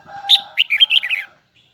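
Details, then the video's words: Red-whiskered bulbul, Huế type, gives one rich, high twisting phrase: a sharp whistled note, then a fast, descending string of warbles over a faint lower humming tone. "CHÀO - MÀO - HUẾ Bung giọng nghe cực đã || Giọng cao kép xoắn nghe mãi không chán"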